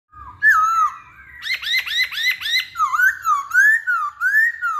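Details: Masked laughingthrush singing: a loud slurred whistle, then a fast run of five rising-falling whistled notes, followed by looping, wavering whistled phrases with bright overtones.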